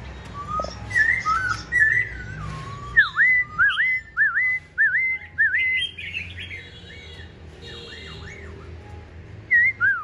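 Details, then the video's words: Tame Black-throated laughingthrush kept in a cage, said to sing all day, on a very cold day: a series of rich whistled V-shaped notes repeated roughly every half second, then softer twittering and a final slurred whistle. "Khướu bạc má thuần hót cả ngày"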